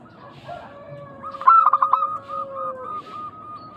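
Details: Local zebra dove in Indonesia, heard in a lure to draw replies from other doves. A single burst of fast, stuttering coos stands out above a steady high tone and a lower drawn-out note.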